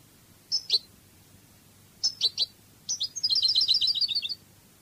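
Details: European goldfinch, Cádiz style: separate high chip notes in twos and threes build into a quick, rattling trill of twittering notes near the end.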